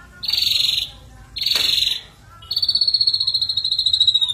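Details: Ashy drongo singing gacor style with varied isian: two short buzzy high bursts, then a longer steady trill of rapid pulses running for nearly two seconds.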